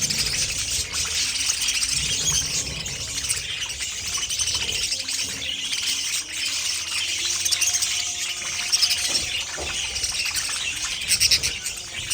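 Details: Pet budgerigars chattering together in a steady, dense warble of high chirps and squeaks, several birds overlapping continuously with no pauses, plus faint rustling and occasional wing flutters.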